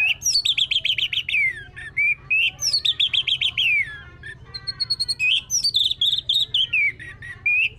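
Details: Orange-headed thrush song played as a lure to make another bird sing: loud, rich phrases of rapid trilled notes sliding downward, mixed with whistled slurs and mimicked chirps, several phrases in quick succession.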